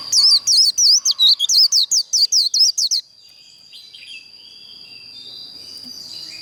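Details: Líu contest song of a white-eye, used to train and provoke birds into competitive singing: a three-second run of quick, high, wavering whistles, then quiet with a faint steady high tone and a soft distant chirp.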